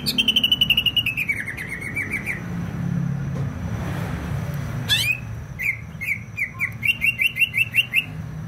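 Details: Greater green leafbird from Banyuwangi, East Java, singing: series of rapid descending whistled notes around two to three kilohertz, a pause, then more bright repeated slurred whistles, over low rumbling traffic noise.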